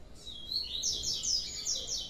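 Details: Large juvenile blue-black grassquit uttering a rapid run of thin, high, slightly buzzy chirp notes, about five in two seconds, with little other sound.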